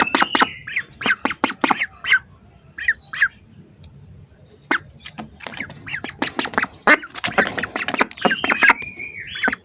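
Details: Close-range hungry ducks: scattered clusters of sharp, raspy quacks with quiet gaps between them, plus a few high whistled notes at the start and end.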